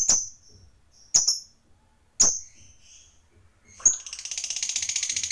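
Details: Lovebird used as a lure for other lovebirds: three sharp high chirps about a second apart, then the start of a fast, high, rattling trill.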